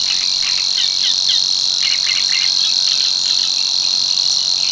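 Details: Savi's warbler at Tancat de l'Illa, l'Albufera, where it returns from March to breed. A loud, monotonous high reeling buzz runs without a break, overlaid by scattered short chirps from other birds.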